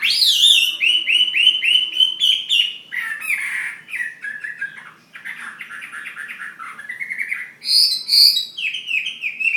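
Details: Ha Giang fighting hwamei from Vietnam delivering strong, sustained whistles broken into fast trills, a rough buzzy middle stretch, then a sharp high whistled phrase and renewed ringing notes.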